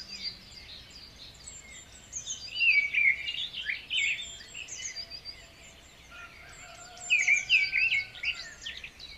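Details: Lure recording of white-rumped shama song meant to stimulate a stressed, silent bird. Two loud bouts of fast, varied whistles and trills are layered over constant high twittering chatter.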